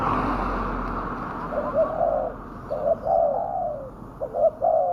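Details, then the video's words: Spotted dove giving a fierce-sounding call used as a lure to bring wild doves down; low, hoarse coos in short phrases of two to three notes, following a noisy first second, over steady background hiss. "pikat burung tekukur suara ganas"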